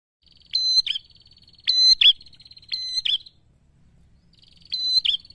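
A prinia sings a loud, high, ringing phrase of sustained and clipped notes four times, roughly once every second or so, with quiet pauses between.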